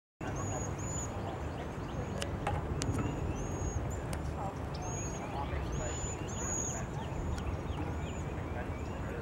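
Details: Several Cedar Waxwings (Bombycilla cedrorum), recorded 24 February 2023, give very high, thin, lisping whistle calls every second or so over a steady low rumble of wind or traffic.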